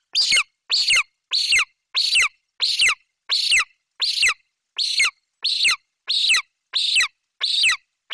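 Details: Golden eagle chick in a Bucovina nest tree, July 28, 2021, screaming with excitement as its mother flies in carrying a Eurasian magpie; about a dozen loud, harsh, high screams, each falling in pitch, evenly spaced roughly every two-thirds of a second.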